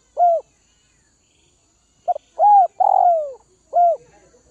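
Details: Captive spotted dove from Northwest Vietnam, kept and hand-fed to tame it: a soft coo, then after a pause a quick stutter, a rounded coo, a long slurred descending coo and a final short coo, in a quiet setting.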